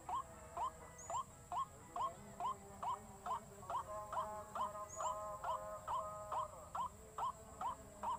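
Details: Lure recording of white-breasted waterhen: rapid, evenly spaced rising notes, roughly two each second, with faint sustained tones layered in the middle section and a steady high hiss behind.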